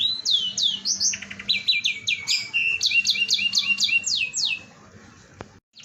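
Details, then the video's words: Canary in full song, played to prompt other birds to join in: quick rising and falling chirped notes strung into rolling trills, a short buzzy rattle, then a sharp click and the song breaking off near the end. "Pancingan kenari gacor sekali putar semua ikut bernyanyi"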